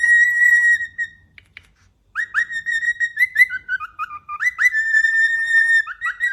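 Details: A cockatiel on top of its cage whistles clear, pure notes, sliding and dipping in a lively tune.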